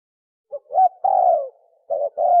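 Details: A spotted dove's 'sấm chuông' coo, used to excite males, females and wild birds: a soft short note, a rising coo, then a long falling coo, followed by a doubled note and another coo, in a quiet setting.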